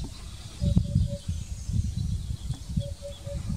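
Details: Eurasian hoopoe (Upupa epops) calling at Drunen, Netherlands, on 4 June 2020: two soft, hollow, low, evenly spaced triplets, 'oop-oop-oop', over a steady low rumble of wind.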